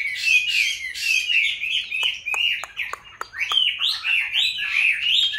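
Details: Caged Chinese hwamei raised from a wild-caught young bird, five years kept, delivering rolling whistled song phrases, interrupted midway by several sharp clicks or taps before the melodious warbling resumes.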